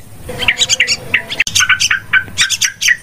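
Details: Yellow-vented bulbul lure calls for trapping: a short run of bubbly, liquid chirps and quick tweets, several notes per half second, with a faint click near the middle.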